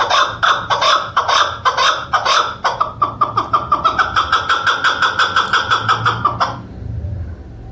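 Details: Hunter's female chukar partridge calling: loud, ragged chuk notes that settle into an even, rapid series of clipped pulses, about two per second, then stop abruptly, leaving low hum.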